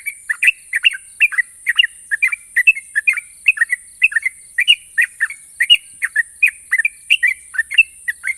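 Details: Sooty-headed bulbul, a national contest champion, delivering long sharp ropel trills: a dense, continuous run of short liquid whistled notes, a few per second, slurring up and down, with a constant thin high hiss behind.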